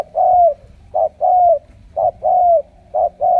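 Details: Spotted Dove kept as a decoy, with the đồng siêu gù cooing style, sings clean low coos: a clipped note followed by a long, gently falling one, repeated three times in a quiet setting.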